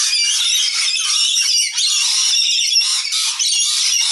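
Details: Juvenile rainbow lorikeets in a group, fighting over food as they do every day: loud, harsh, continuous screeching and squawking from several birds overlapping with no pause, briefly dipping twice.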